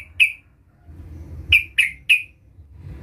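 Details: Sooty-headed bulbul calling to lure a rival: one sharp downslurred chip, a pause, then three quick clear chips in a row, over faint low background hum.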